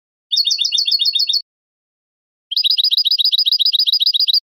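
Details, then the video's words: European goldfinch singing basic simple trills: a rapid burst of high twittering notes lasting about a second, a pause, then a longer, faster run of clipped, regularly repeated metallic chirps, with no other sound. "CANTOS BASICOS DEL JILGUERO ** BIBLEOS SIMPLES"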